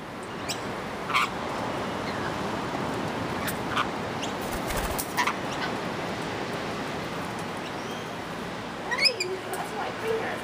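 Rainbow lorikeets give brief, harsh screeches scattered through the clip, with a quick chattering burst near the end, over a steady rushing background hiss.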